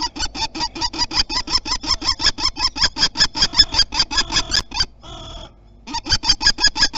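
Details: Loud, harsh kee-kee-kee chatter from a common kestrel defending its territory, Théding, France, 27 April 2021, spring nesting season: about four notes per second, a short break, then the rapid series resumes.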